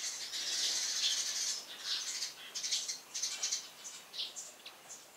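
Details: Eurasian tree sparrow chirping cheerfully on a house roof in the morning, loud and lively; dense high chirps and rattling notes packed together, with bursts of wing flutter and overlapping calls fading into quicker scattered chirps.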